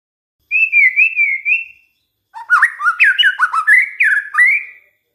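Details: Lure song of a white-rumped shama, meant to set other shamas singing: a wavering clear whistle, a pause, then a run of rising slurred whistles jumping up and down in pitch. Background quiet.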